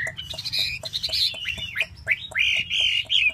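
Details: Chinese hwamei fanning and dancing its tail while singing: loud, rich whistled phrases sliding between high and mid pitches, with sharp rising swoops, over steady faint clicking taps.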